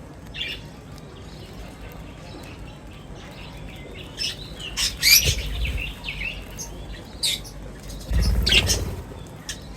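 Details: Birds gathering at feeding time give short, high chirps scattered across the clip, with louder clustered bursts midway and near the end, each joined by low thudding sounds.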